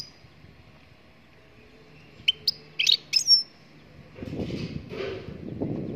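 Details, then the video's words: Goldfinch from Morocco in song: after silence, a short run of sharp high chirps builds into a brief, dense twittering phrase with a thin whistled slide. It is followed by low, broad rumbling noise. "Chardonneret marocaine chante"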